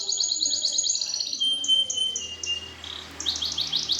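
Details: Greater green leafbird singing a fighting-sparrow style song, used as a lure to provoke contest birds into singing. High, thin chirps and twittering notes follow in rapid, uneven succession, with some brief sliding whistles.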